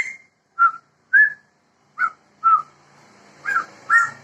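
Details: Sumatran laughingthrush, a male and female pair of this protected Sumatra endemic, giving clear whistled notes that dip and waver, about seven spaced calls in four seconds, the last two richer and louder.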